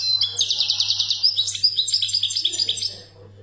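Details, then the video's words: European goldfinch singing, Algerian recording: a rapid run of bright, buzzy chirps repeated several times a second, then twittering higher notes that fade near the end, over a steady low hum. "تغريد الحسون 🇩🇿 الخلوي للخلوي"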